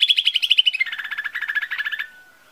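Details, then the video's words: Lesser green leafbird lure song: a rapid, rattling trill of bright notes that drops in pitch partway through, continuing about two seconds before ending in a faint fading tone. "SUARA PANCINGAN CUCAK IJO MINI"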